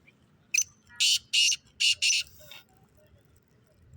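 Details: Black francolin giving a quick rhythmic series of five rasping, buzzy notes, the first brief and the rest longer and evenly spaced, then a faint trailing note, with gentle low background rumble.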